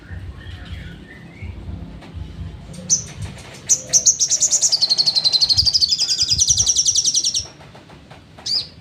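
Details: Crimson sunbird (sogon) singing in the trotol style, used as training material for songbirds: a fast, high, buzzy trill of rapid notes, about four per second, running for roughly three and a half seconds, preceded by scattered sharp chips, with low background rumble.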